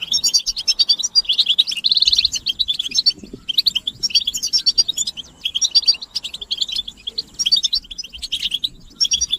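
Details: Chorus of European goldfinches used to motivate silent males to sing: bursts of rapid liquid twittering and buzzy trills that come in waves every second or so, with a sustained buzzing phrase near the two-second mark.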